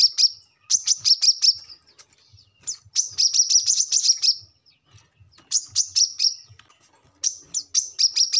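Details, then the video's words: A brown-throated sunbird sings loudly in very high, sharp chipping notes in fast bursts of six to eight, each phrase repeated every couple of seconds with short pauses between, recorded as tutor audio for training cage birds. "kolibri kelapa | manggar | wiceh | korlap ngobra gacor"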